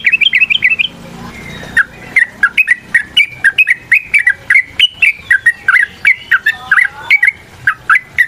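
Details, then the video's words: Yellow-vented bulbul in long fighting song, played to get other birds singing: a quick warbled burst, a short gap, then a steady stream of liquid, bubbling notes about three per second. "TRUCUKAN GACOR TARUNG ROPEL PANJANG"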